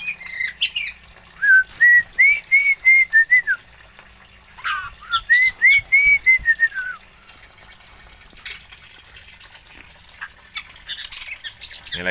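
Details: Oriental magpie-robin from Aceh, Indonesia, singing two runs of quick, evenly spaced whistled notes that rise then fall in an arch, separated by a pause, with faint scratchy sounds later.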